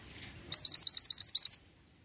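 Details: Pied bushchat (mantenan gunung) in vigorous song, a rapid run of about eight high, rising whistled notes lasting about one second, evenly spaced and sharp, with faint low rumbling before the phrase.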